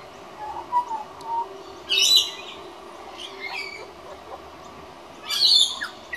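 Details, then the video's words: A juvenile pied butcherbird that visits regularly to practise singing gives a few soft, low fluted whistles, then two brief scratchy, high twittering bursts about three seconds apart. "Young Pied Butcherbird Singing"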